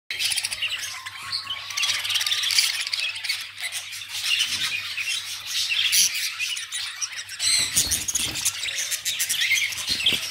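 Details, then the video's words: Violet-masked lovebirds, a group calling with dense, shrill high squawks and chirps overlapping continuously, harsh chattering throughout with a low steady hum beneath. "love birds 🐦 voilet mask love birds"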